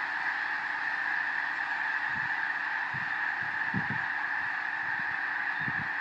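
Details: Thousands of wintering snow geese in farm fields in Skagit County, Washington, taking flight after being startled by a passing bald eagle; a dense, continuous roar of overlapping nasal honks, with occasional low thumps from wingbeats.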